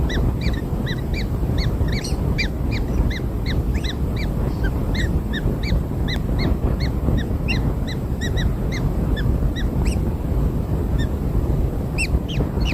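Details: Freshly hatched kingfisher nestlings receiving black insects as food give a long run of brief, arched squeaks in quick succession, some overlapping, above a constant low-pitched rumble.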